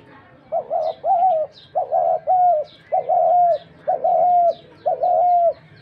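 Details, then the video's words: Series of dove calls, each a quick first note joined to a longer held tone, about one per second, with light high-pitched chirps from other birds. "Dak Gugu pakhir dove"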